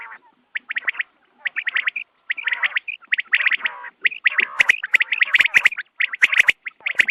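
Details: Dawn quail calling for hunting: an almost continuous stream of quick, sharp notes in rapid clusters over a harsh, rattling undertone. The calling grows denser and more clicking toward the end.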